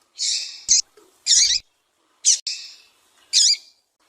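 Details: Calls of a female Double-collared seedeater, meant to excite a caged male into song: rasping, buzzy bursts, a few in quick pairs, spaced by brief silences, with soft low knocks.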